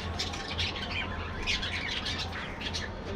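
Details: Budgerigars kept as a colony in an aviary produce a brief burst of dense chirping and squeaky calls, with a noticeable low hum beneath.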